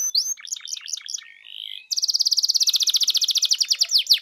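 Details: Canary song for provoking a canary to sing: varied short phrases, a low buzzy note, then a long rapid trill of high repeated notes.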